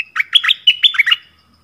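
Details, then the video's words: Lure recording of a yellow-vented bulbul, 20 March 2021: a rapid run of six or seven warbling, chortled notes lasting just over a second, in a clean, quiet background. "เสียงต่อนกดอกแตง Ep.37 นกป่าถึงกับ งง!! Burung merbah kuning"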